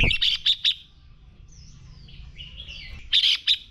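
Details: Red-whiskered bulbul in fighting song used for training: three loud harsh chirps, a pause of thin sliding whistles from other birds, then two more strong chirps.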